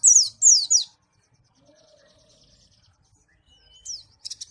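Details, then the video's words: White-eye (pleci) from Malang, Indonesia, giving a few quick, very high descending whistled slurs in two bursts, then a long quiet gap before a short thin trill returns at the end. "pleci Malang suara mantap"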